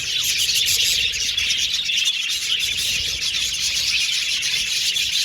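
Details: Caged budgies, an Australian budgerigar colony, singing and chirping together; a loud, unbroken blend of rapid high twitters and warbling squeaks.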